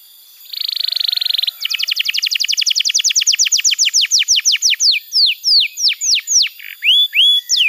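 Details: Canary training song (masteran) for young birds and silent singers: a fine buzzy trill, then a long accelerating-looking run of sharp falling notes that slows into separate slurred whistles and a rising-falling clear note.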